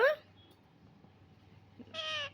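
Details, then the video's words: Talking pet parrot indoors: a short bright call at the start, then near the end a steady, nasal, harmonic meow-like note held for about a third of a second, amid a quiet room and a person's coaxing speech. "অসাধারণ কথা বলা টিয়া পাখি"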